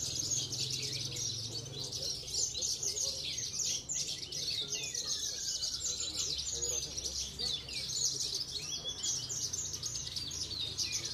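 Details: Javan bush lark (branjangan) at a singing contest, a stable prize-winning bird from Cilacap, giving a long, rapid run of sharp twittered notes and trills over low rumbling background noise and distant voices.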